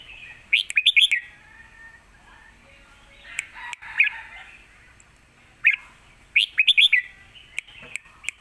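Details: Caged red-whiskered bulbul singing a fierce Thai lak wai style model song meant for teaching young birds: three bursts of quick, bubbly warbled notes separated by pauses, with sharp clicks in between.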